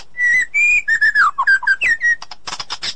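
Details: White-rumped shama, female calling her mate in forest; long steady whistles followed by quick varied whistled notes and a closing run of harsh rasping bursts.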